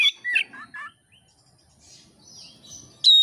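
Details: Oriental magpie-robin singing for Indonesian songbird keepers' training: a quick series of descending chirps, a quiet gap with faint background, then a sudden bright whistled note.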